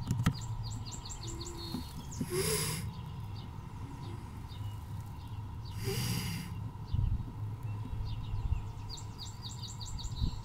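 A hen wood duck gives two breathy, airy hisses about three seconds apart; small birds chirp faintly at the start and end over a low rumble.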